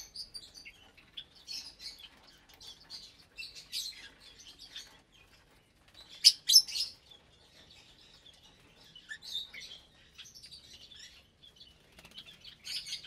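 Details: A breeding cage of around 25 lovebirds, parblue, euwing, opaline, lutino and albino, at feeding time: steady fast high twittering and chirps, with a loud burst of shrill squeals midway.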